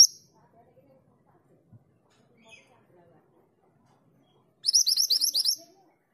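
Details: Mountain mantenan female calling for a male, giving one rapid series of about nine thin, high rising notes near the end, after a long quiet pause with faint background rustles.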